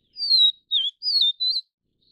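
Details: Vivid niltava of the Taiwan subspecies Niltava vivida vivida giving one high, clear whistled phrase of four slurred notes, the first long and falling, the second dipping, the last two wavering, in a quiet background.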